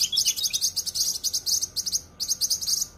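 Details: Cucak kinoi in a dense, sharp, full song kept as a masteran for training songbirds: strings of very high rapid chirps with a brief break past two seconds, then more bursts.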